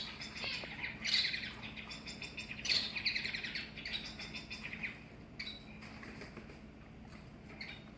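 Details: A male long-tailed (shafttail) finch, temporarily in a small cage, gives a courtship crow-like sound: harsh, squawky chirps in short bursts, with thin twittering between and a steady low hum behind.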